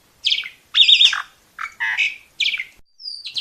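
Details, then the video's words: Asian pied starling (jalak suren) singing long and continuously, a master song used to train young birds: five separate harsh, chattering phrases with whistled and buzzy notes, short gaps between them, and a final high thin whistle. "Suara burung Jalak Masteran Gacor"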